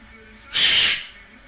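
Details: Pet Goffin's cockatoo at play gives a single harsh, hissy screech of about half a second, loud and bright, over a quiet room.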